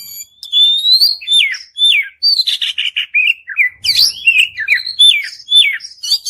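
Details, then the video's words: Oriental magpie-robin in long, lively 'gacor' song, used as a lure to make a silent bird answer; rapid varied whistles, slurred rising and falling notes and sharp buzzy bursts follow one another almost without pause. "kacer Gacor Panjang || kacer macet bunyi pasti nyaut"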